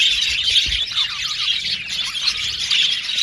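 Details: Captive male blue and violet budgerigars in a colony aviary, producing continuous high, buzzy chatter with many birds chirping at once and short squawks throughout.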